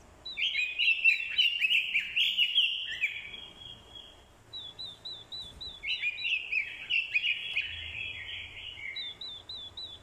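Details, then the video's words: Decoy orange-headed thrush giving fighting song, with a female's call used to provoke a male. Rich warbled phrases with varied whistles and trills, separated by a series of short repeated wavy high notes. Light background noise. "Chim Quế lâm mồi, hót đấu cực hay. kèm tiếng quế lâm mái, kích trống hót đấu hay."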